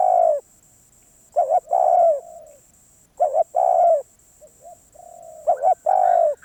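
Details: A Spotted dove, called very persistent and wild, sings three phrases of a paired short coo and a long falling coo, linked by softer drawn-out low coos. A faint continuous high whine is present.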